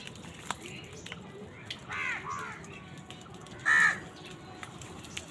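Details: Crows competing with wild birds for food: a couple of rough caws near two seconds and one loud harsh caw near four seconds, amid faint chirps and outdoor noise.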